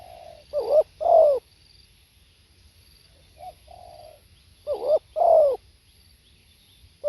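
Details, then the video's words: Spotted dove recorded live, giving a two-part coo: a short wavering note then a longer, louder falling coo, twice about four seconds apart, each followed by a soft, low trailing note. Faint hum in the background. "เสียงนกเขาใหญ่ สด | suara tekukur"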